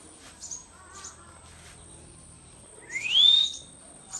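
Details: Pet Indian ringneck parrot giving one loud, harsh squawk that sweeps steeply upward and then levels off, after a few faint, soft chirps in a quiet room.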